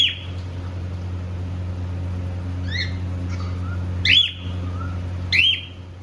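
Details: Two companion cockatiels, happy while singing and playing, give short bright chirps, including a pair of strong arched calls near the end, with soft low whistles between them and a constant low hum behind.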